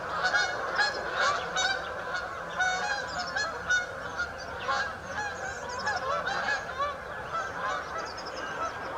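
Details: Flock of Canada geese at St Anne's Lagoon giving a dense chorus of overlapping nasal honks, many birds calling at once with sharper honks standing out every second or so over a steady murmur.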